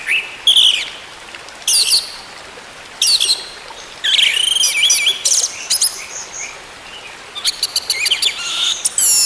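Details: Song of the orange-headed thrush, used to get a silent bird singing again: varied high warbled phrases with sweeping slurs and quick chip series, spaced by short pauses, with hiss.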